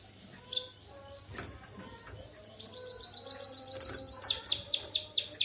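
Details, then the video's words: Canary-like singing from a white-headed munia: after a quiet start with a single sharp chirp, a sudden loud, rapid, ringing high-pitched trill of evenly repeated notes runs to the end, growing stronger. "Burung Emprit Kaji Gacor Bersuara Burung Kenari"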